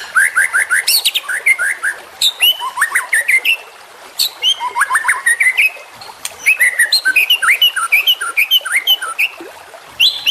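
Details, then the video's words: A young champion white-rumped shama on a training recording delivers energetic, varied song: quick bursts of clicks and whistles in short phrases, separated by brief pauses. "Trotolan Murai Juara Supaya Cepat Rajin Bunyi & Gacor"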